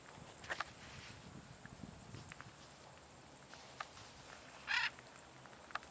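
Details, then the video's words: Lone military macaw flying free outdoors, calling once with a short, coarse, grating squawk near the end, preceded by a fainter rasp early on; otherwise quiet open-air background with scattered light clicks. "military macaw single free flight"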